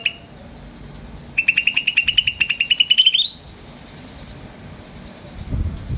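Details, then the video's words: Green starling producing one long run of about twenty quick high chirps, slightly rising in pitch toward the end, after a single short chirp at the start; a low rumble follows. "Green Starling Chirping Sound"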